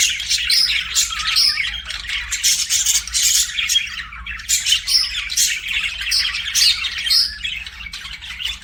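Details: Budgerigar chirping: a dense, continuous chatter of high scratchy warbles, squeaks and short whistled notes, rising and falling in bursts without pause, with a faint low hum underneath.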